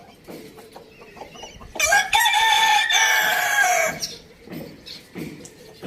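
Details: A rooster at a village farm lets out one loud, sustained crow of roughly two seconds with a steady, rough tone. Small birds chirp softly around it.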